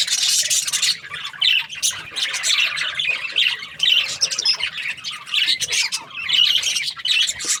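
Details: Pet budgies keep up an uneven chatter of grating squawks and quick high chirps, louder at the start, then rising and falling in short bursts.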